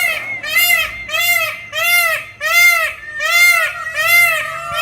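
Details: Many Indian peafowl at sunset and dusk by a swamp-side road in Melbourne, one male perched in a tree, give a run of loud, nasal, wailing calls, each arching up and down, about every three-quarters of a second, over faint hum.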